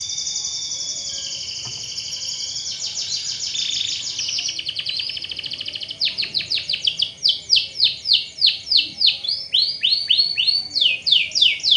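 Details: Canary song used as a lure to get other canaries singing fast: a long sustained high trill, then rapid descending whistled sweeps repeated several times a second, growing louder toward the end.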